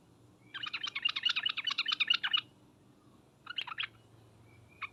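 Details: Sooty-headed bulbul lure of trucukan and 'ngriwek uplik uplik' calls: a rapid, dense string of bubbly chattering notes for nearly two seconds, a pause, then a short burst of three or four notes and a single final chip, over faint low hum.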